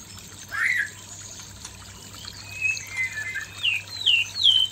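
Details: Male white-rumped shama facing a fierce female: a few scattered clear whistles, some sliding upward, separated by pauses, with a faint steady low hum beneath.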